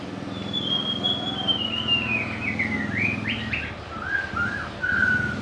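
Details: White-rumped shama giving a long, descending whistle followed by jerky, quick notes and clear, sweet whistled phrases, over a low rumble of background noise.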